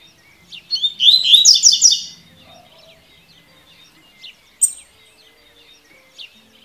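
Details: A double-collared seedeater opens with a loud, rapid, buzzy tui tui song phrase of repeated notes lasting about a second, followed by a sharp high chip and faint scattered twitters.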